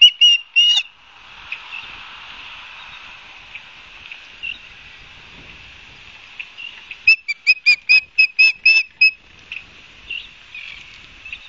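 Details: Osprey calling at a Barnegat Light, New Jersey nest, filmed by a live camera on 12 September 2022 at 16:34; two whistled chirps open, then a fast run of about nine shrill repeated chirps, with softer ones trailing.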